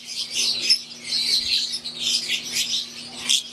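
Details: Captive Fischer's lovebirds, wild-type green and Euwing, give a short burst of piercing overlapping chirps and squeaks in a continuous chatter over a low constant hum.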